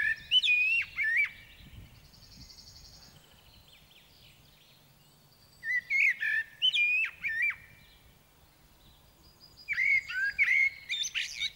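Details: A common blackbird in Sweden sings three mellow, fluty warbled phrases, each ending in a high, squeaky twitter, with pauses of several seconds between them; faint low background rumble.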